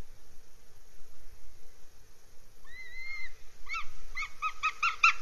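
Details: At a Northern goshawk nest in Scotland's Abernethy Forest, July 2022, two thin rising-falling whistles give way to a fast, loud series of clipped repeated notes, several each second, over low background hiss.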